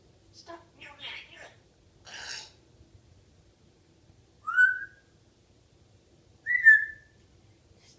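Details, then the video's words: A female African grey parrot gives a few quick, muttered speech-like phrases, then two clear, slurred whistles about two seconds apart in a quiet room, as she begins singing "the wheels on the bus go round and round". "African Grey parrot singing "the wheels on the bus go round and round"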